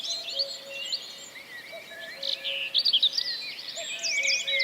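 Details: Common Cuckoo, recorded in Wales in April 2004, sings faint low cu-coo pairs, a short higher note dropping to a longer lower one, under a lively spring chorus of high chirping and rattling songbirds.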